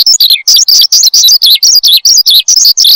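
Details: Horsfield's bushlark singing energetically, recorded as a training and lure sound for cage birds: a rapid, continuous run of high, sharp chirps and twittering notes with brief gaps.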